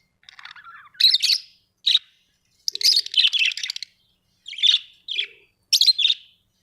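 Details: Budgerigars at home giving a chattering string of scratchy, buzzy chirps, some slightly descending, in quick bursts with brief pauses between, plus a couple of faint low tones.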